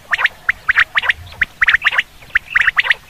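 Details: Common quail call used for hunting: quick, liquid clipped notes in bunches of two or three, repeating about once a second; no other sounds stand out.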